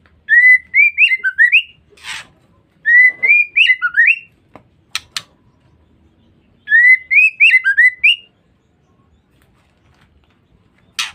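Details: Female white-rumped shama used as a lure to provoke males: three bursts of rapid, rising whistled chirps, each run of notes climbing and hooking upward, separated by pauses with sharp broadband clicks and rasps between.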